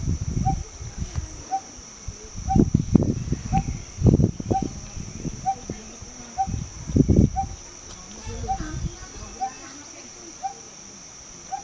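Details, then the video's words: Coppersmith barbet, locally called pokpok, giving a steady series of short, hollow, mid-pitched tuk notes, roughly two per second, over heavy low rumbling and thumping noise. "Coppersmith Barbet (Pokpok)"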